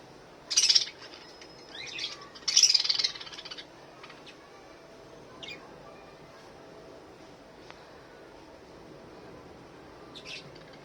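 A budgerigar gives a few harsh, scratchy chirps, spaced out over quiet moments.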